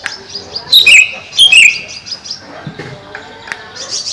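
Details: Greater green leafbird (cucak ijo) in a cage over a pond: two bright, loud twisting whistled notes close together, then softer scattered chirps and clicks.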